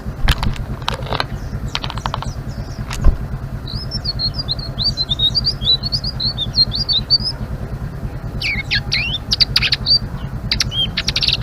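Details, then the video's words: A blue-winged leafbird's rapid twittering ngeriwik run of high wavering whistles lasting several seconds, framed by scattered sharp clicks, against a steady low rumbling hum. "Suara Burung Selendang Biru Gacor❗❗ Ngeriwik"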